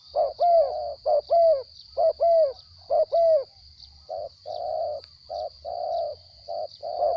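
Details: Captive spotted dove with a small voice: clear paired coos bending downward, followed by softer, longer hollow coo notes in an uneven rhythm, over a steady high thin tone.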